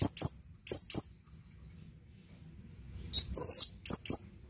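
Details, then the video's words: A male blue-crowned hanging parrot summoning a female utters high, sharp chirps in pairs, a soft trailing twitter, then a longer squeaky note followed by two more quick chirps. "suara burung serindit memanggil panggilan"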